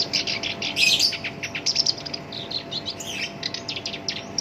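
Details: Black-browed reed warbler (shinchan), a kept bird singing continuously with a rough voice used to set off other songbirds; rapid grating chatter, loud tangled burst near the start, then uneven runs of sharp chips and buzzes.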